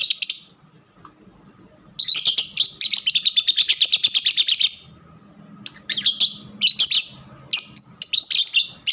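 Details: Caged pet lovebird opening with one squeak, then a long sustained burst of rapid shrill twittering, followed by choppy high chirps and squeals; constant low hum behind.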